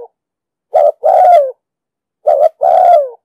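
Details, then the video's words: Spotted dove with a 'đồng sấm' voice, cooing to lure and train decoy birds for trapping: two phrases, each a brief low note then a longer, mellow coo sliding downward at the end, with silence between. "Tiếng chim cu gáy giọng đồng sấm,thúc gù bài bản,đi bẫy, tập bổi,kích mồi,dụ bổi cực sát"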